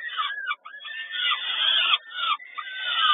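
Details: Begging peregrine falcons at feeding time, Kawęczyn, 10.05.22: short burst of rasping, arching squeals, several downward-curving notes in quick succession with tiny pauses between.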